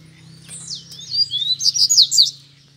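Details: Double-collared seedeater singing as two free-flying birds and a caged one challenge each other to fight, a wild bird perched close by; one quick phrase of high, sharp whistled notes and swept chips over a faint low hum.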